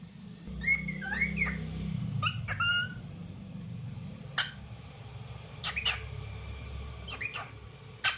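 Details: Lutino cockatiel giving its daily tunes indoors: short rising and falling whistled notes and quick chirps in scattered bursts, with a low hum in the room.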